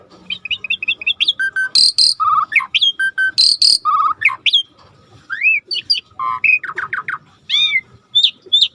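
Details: Starling song from a training recording with a natural river backdrop: varied whistles, trills and rising slurs, with two loud, harsh buzzy bursts near the start.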